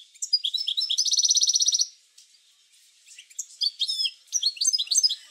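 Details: European goldfinch song used to stimulate goldfinches to sing: high, bright twittering notes, then a fast ringing trill of about one second, a short pause, then more varied tinkling phrases.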